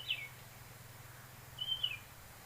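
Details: Hill prinia (ciblek bambu) giving two thin, high whistled notes about one and a half seconds apart, each dipping slightly at the end, over a faint low hum; recorded during net trapping in Kerinci, Sumatra.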